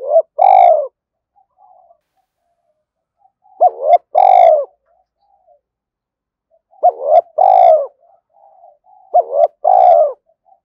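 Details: Spotted dove decoy in 'thổ đồng' voice gives four regular phrases about every three seconds, each a sharp rising hoot followed by a rich, slightly falling coo, with faint soft notes in the gaps. It calls to lure wild doves.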